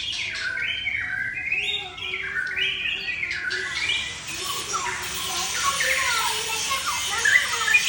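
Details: White-rumped shama of the Aceh type with a drooping tail delivers a long song phrase in one breath. Varied whistled, warbling notes come in the first half. The second half turns hissy and noisy with fainter fragments.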